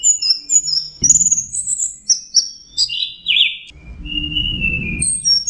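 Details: Training recording of a punglor thrush with mixed fill-in phrases: high thin whistles falling step by step into a dropping slur and a long lower whistle, with bursts of low rumbling noise.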